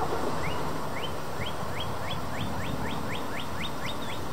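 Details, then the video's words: Male Northern Cardinal perched atop the tallest tree in a local park, calling loudly to another cardinal in another tree: clear, upslurred whistles about three times a second over a steady low rumble. "Northern Cardinal Calling"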